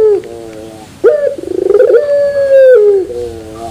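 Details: Turtle dove of the pelung type with a metallic terasan delivery: a falling coo, then a loud onset, a rapid throbbing trill and a long, sustained, even hum that sags at the end into a fading coo.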